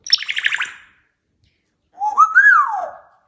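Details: Pet male African grey parrot indoors gives a rapid burst of about seven buzzy chirps, then after a second of silence a clear whistle that rises, wavers and slides downward.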